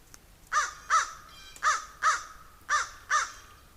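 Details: Crow calling while a squirrel goes after a raven nearby: six harsh, nasal caws delivered in three evenly spaced pairs, each caw short and hoarse with a slight downward bend, quiet background between pairs.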